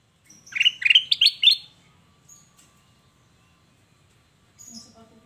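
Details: Sooty-headed bulbul song played as a lure to draw replies. A quick burst of four or five rich, warbled notes climbing slightly in pitch, then near silence, with a faint squeak and a brief rustle near the end.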